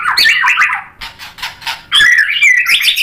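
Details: White-rumped shama in lively song, roused by a rival fighter bird and pouring out its repertoire: a run of loud whistled warbling phrases, a quieter broken middle stretch, then bright rising and falling whistles again.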